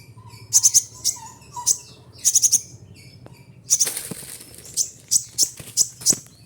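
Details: Kolibri ninja kept in a cage, delivering copied phrases: clusters of piercing high ticks and chirps in quick bursts, with some lower whistled notes early on and a burst of wing-flutter noise partway through.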